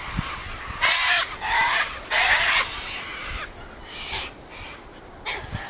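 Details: Sulphur-crested cockatoos (Cacatua galerita) squawking at a gathering spot: three loud raw screeches in quick succession, then fainter calls further off, with light wind in the background.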